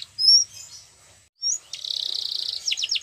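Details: Yellow canary, said to be singing in the wild: a few thin high whistles, a pause, then a rapid buzzy trill ending in several quick downward-swept notes.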